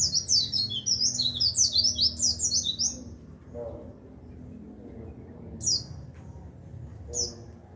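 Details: White-eye song used as a tutor recording for training songbirds: a fast, high-pitched twittering warble of tumbling chirps for about three seconds, then a few isolated sharp downslurred notes over a low background hum.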